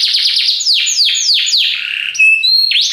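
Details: Very powerful Belgian canary song: fast chirps give way to slower, swooping down-slurred notes, then pure high whistles and a quick trill at the end.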